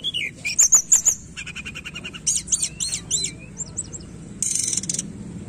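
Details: Song of the tledekan as a singing lure for a lazy bird: mixed rapid ticking trills, downslurred whistles and buzzy notes tumbling quickly, closing with a harsh sustained buzz.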